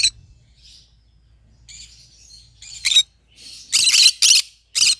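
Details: Green-cheeked conure, kept as a pet, starting with soft high chattering, then breaking into a rapid series of loud harsh broadband squawks near the end.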